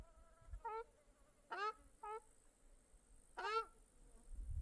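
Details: A small Mongolian lake with birds calling: clipped nasal mews mixed with drawn-out, falling, harmonic calls at irregular spacing, over a soft low background rumble.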